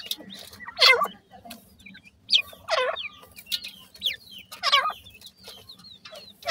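Partridge chicks give loud, harsh, broad chirps about once a second, with thin high peeps between them and a low hum underneath.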